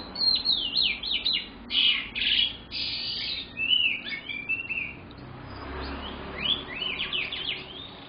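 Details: Young canary song: bursts of quick chattering notes and harsh buzzy trills, a pause, then more rapid rising and falling chips, with notes clustered tightly in short phrases.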